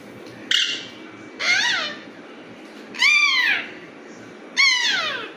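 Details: Alexandrine parakeet giving its natural raw calls: four loud, harsh, downward-sweeping squawks about a second apart, each rich in harmonics, with a faint steady background hum.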